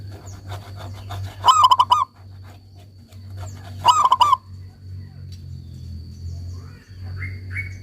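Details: Local zebra dove repeats a quick cooing phrase twice, about two and a half seconds apart, against a constant low hum and general background noise.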